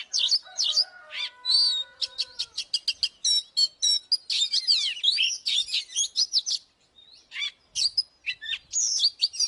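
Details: Oriental magpie-robin fighting song used as a lure: rich, rapid medley of whistles, clicks and fluty notes, with a brief pause before the torrent resumes, over a faint steady low tone early on.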